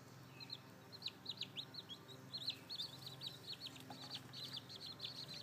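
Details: A brood of seven freshly hatched chicks with their hen, possibly more beneath her; quick runs of high downslurred peeps, several chicks calling at once, growing denser toward the end.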